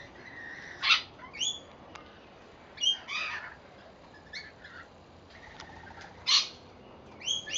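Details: Wild rainbow lorikeets eating put-out seed on a verandah in Victoria, Australia: irregular shrill screeches and rasping squawks, several separate outbursts spaced a second or more apart.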